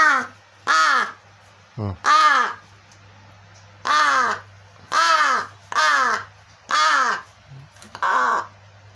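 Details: Crow feigning hunger and showing little interest in a toddler's rattle; a rapid run of about eight harsh, nasal caws roughly once a second, plus a short low grunt, over a steady indoor hum.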